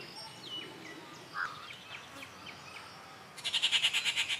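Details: Rufous treepie calling at Kattupadi on June 19, 2021. Faint scattered chirps and a soft low note come first, then a sudden burst of loud, rasping, evenly repeated pulses, roughly three per second, fills the final second.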